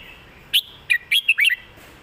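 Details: Master-style 'mae bot' song of a red-whiskered bulbul, praised for its fine phrasing: a single lively phrase of five clear, slurred whistles rising and dipping, over quiet background hiss.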